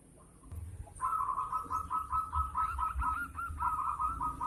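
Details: Local zebra dove with a loud voice and beautiful beat, used as a lure to stimulate other birds to sing; after a second of quiet, a fast run of short, evenly spaced cooing notes continues over a low rumbling background.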